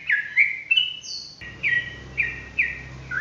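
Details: Energetic 'ropelan' song of a yellow-vented bulbul: clear sliding whistles and one high thin note, followed by bright short phrases repeated roughly every half second, with faint low background hum.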